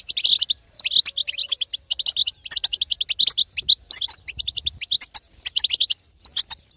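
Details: Female goldfinch (European goldfinch) chattering in the betbeta manner to prompt a male's song; steady sequences of high, crisp tweets packed closely together, pausing now and then.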